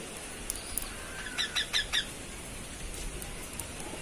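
A cockatiel gives a quick burst of four short, bright chirps.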